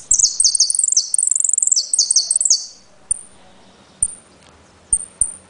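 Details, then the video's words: Jilguero (saffron finch) from Trenque Lauquen singing 'El Correntino': a loud, rapid, very high trilled repique of rolling notes for over two seconds, followed by spaced single whistled pitadas about a second apart. "JILGUERO AUDIO "EL CORRENTINO" ( repique, golpe y pitadas)"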